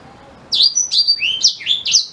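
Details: A black-throated canary gives a brief, lively phrase of six or seven high whistled notes, each sharply slurred up or down, in under two seconds. The song serves as a tutor for white-rumped shama.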